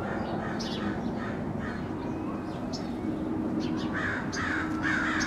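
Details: Crows in a neighborhood, described as angry, giving rough nasal caws that grow louder toward the end, spaced irregularly, over a steady hum of background noise.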